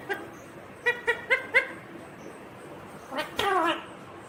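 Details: Green Indian ringneck parakeet talking: four short evenly spaced syllables in quick succession, then after a gap a longer, louder word-like phrase.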